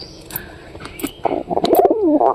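A pigeon gives a soft, throaty coo that wavers up and down, after some clicks and rustling.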